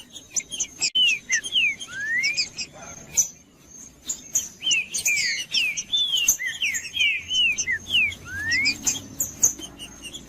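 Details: Song of a green-winged saltator, used to stimulate a cold captive bird: loud slurred whistles swooping up and down in bursts, with long upward-gliding notes, a pause midway, a steady high faint tone and sharp clicks throughout.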